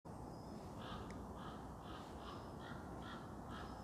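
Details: A common raven calling close by in woods off the Spaniorum skyway near Bristol, giving a run of short, harsh, hoarse, deep throaty notes about twice a second over a steady low rumble of wind or background noise.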